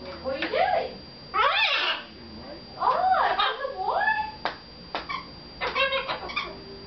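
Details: Pet red-fronted macaw talking to its owners at home, a busy run of mimicked syllables with arching, up-and-down sliding tones and short clipped notes, fairly loud in a small room.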